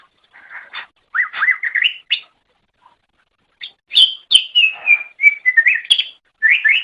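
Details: Greater green leafbird masteran song for pet bird training: rising slurred whistles in a quick sequence, a short silence, then bright high notes falling into steady whistled phrases and a final pair of rising slurs.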